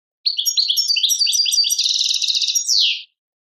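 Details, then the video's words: Algerian European goldfinch, 'tadmait' song: a series of quick, separate chirps building into a fast, tinkling chatter and an even buzzy trill, finished by a strong, slurred, falling note. "chardonneret chant tadmait"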